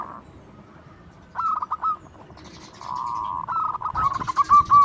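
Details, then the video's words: Zebra dove (local perkutut) singing loudly as a lure for other doves: a soft steady tone, then bursts of quick stuttered coos and a long even note leading into a final rattling phrase, with faint background noise. "Perkutut lokal gacor suara lantang super ampuh untuk pancingan"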